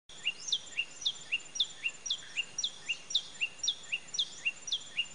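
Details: A common tailorbird, recorded 31 May 2017, repeats loud, sharp upslurred chips about four times a second, alternating two slightly different pitches over a steady background hiss.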